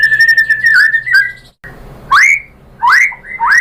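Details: Female white-rumped shama calling its mate: a steady level whistle with a dipping inflection, a pause, then several strongly rising upswept whistles.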